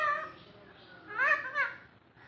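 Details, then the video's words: Alexandrine parakeet (pahari chandana) talking indoors in a small room, in short, voice-like bursts with a rising-and-falling inflection: one word at the start, then two quick syllables near the end. "টিয়া পাখির কথা শুনে অবাক হবেন । টিয়া পাখির অসাধারণ কথা। পাহাড়ি চন্দনার কথা"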